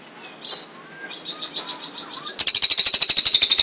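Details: Cililin in a master recording for songbirds: faint high twittering with a background hiss, then a sudden loud, rapid rattling trill of sharp repeated notes.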